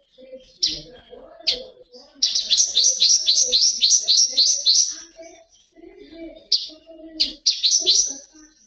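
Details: Common waxbill kept at a breeding aviary, singing in the Tui Tui style: a few short introductory chips, then a long fast series of high buzzy repeated notes lasting nearly three seconds, another shorter run near the end, with low soft chatter underneath.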